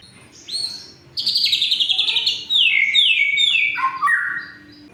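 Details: White-rumped shama singing, played to prompt silent shamas and rouse a rival's emotion: rich, loud song of sweeping high whistles and buzzy rapid runs that step downward, ending with lower falling notes.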